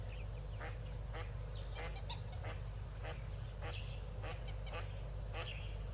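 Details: Yellow-billed duck with six ducklings at Tau Waterhole, afternoon of 12 February 2022; soft nasal quacks repeated roughly every half second, fairly even, beneath a steady low background hum.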